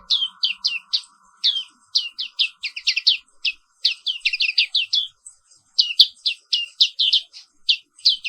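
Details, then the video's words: Black-capped white-eye (Zosterops atricapilla), endemic to Indonesia, singing in the morning: long runs of quick high chirps in fast clusters with a few short pauses, over a faint steady hum. "Suara Terapi Pagi Pleci Papua Wiklus | Auto Aktif & Ngerol Terus"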